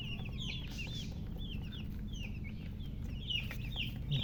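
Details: Newly hatched baby chicks piping loudly: clear, high, slurred peeps repeated rapidly by several birds over a steady low mechanical hum.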